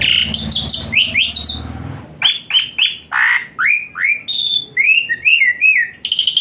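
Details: Asian pied starling song rich in varied phrases and hot bursts, played as therapy to get a lazy-singing starling singing; loud rasping squawks open, then a run of clear whistled notes sliding down and up.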